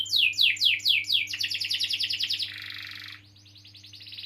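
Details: Canary with a long rolling song used to stimulate silent or young canaries: loud descending chirps repeated twice a second, then a fast high trill and a harsher nasal buzz fading out.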